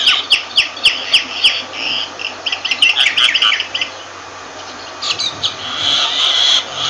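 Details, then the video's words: Myna calling with evenly spaced sharp, clicking downslurs, then a tangle of chattering notes, a short lull, and a drawn-out harsh rasping sound. "Myna Bird sound Voice"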